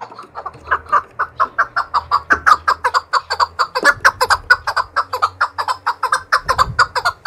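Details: Trained fighting Chukar partridge singing to challenge rivals: a long, steady run of clipped, harsh chuck notes, roughly four per second, building in strength over seven seconds, with a faint low hum beneath.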